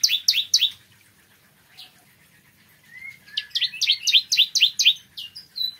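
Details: A bar-winged prinia singing in the morning gives short series of crisp downslurred high notes, a few soft whistled notes, then a longer rapid series.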